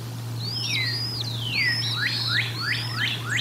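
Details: At the Decorah North nest during feeding, dated 04 01 2022, a bald eagle gives rapid chattering whistles. Looping falling slurs run into quick rising chirps, about three per second, over a continuous low hum.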